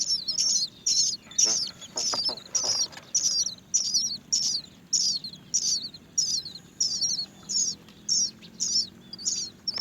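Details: Great myna baby birds waiting to be fed by their mother give high, shrill squeaky begging calls, repeated in steady bursts about every half second over a low background hum.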